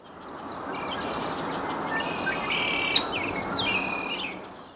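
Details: A young male Red-winged Blackbird in second-stage plumage gives territory calls while foraging on the ground: two thin, buzzy trills about two seconds apart, weaker than an adult's, over a steady rushing background hiss.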